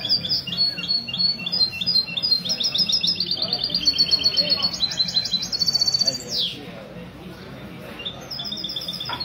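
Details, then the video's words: Mestizo goldfinch cross heard in Ksar El Kebir, Morocco, at a Sunday morning goldfinch club meet in a café, February 2020. Long stream of fast, liquid twitters rises into a ringing trill, then a sweeping note, a pause, and a short restart. "تغريد الميستو من جمعية لكوس للحسون الدهبي"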